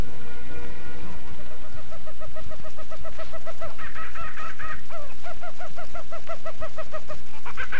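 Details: A laughing kookaburra in Australia gives quick, evenly repeated hooting notes that swell into a higher, cackling laugh before dropping back, over a steady low hum.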